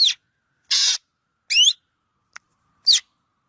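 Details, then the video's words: Black drongo calling: short harsh buzzy rasp and sharp, curving whistled notes sliding up and down, each burst about a quarter second, separated by clean silence with a faint click between. "Suab noog quaj suab ntseg ntshauv .tiếng chim chèo bẻo kêu chuẩn"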